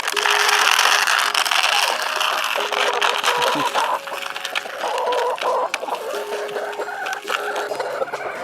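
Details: Rooster in a backyard flock in late November gives a food call, quick low repeated clucking notes telling his hens there is food as he is fed at lunchtime, with a person talking over it.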